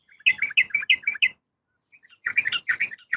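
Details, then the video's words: A female yellow-vented bulbul calls to a male in a quick series of six bubbly chirps. After a short pause comes a second run of rich, chattering notes. "suara trucukan betina memanggil jantan"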